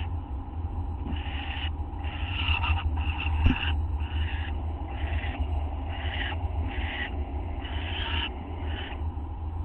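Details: Owl at night, 3:32 AM on August 6, 2011, after a quick mouse delivery. Harsh hissing, rasping bursts repeat roughly every second over a steady low hum, with one sharp click midway.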